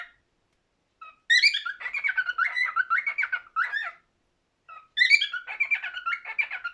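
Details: Warbled whistling song from a cockatiel, two phrases each beginning with faint short notes and a high sharp chirp, then a rapid wavering chain of whistles.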